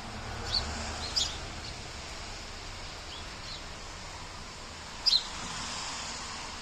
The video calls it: Sparrow sound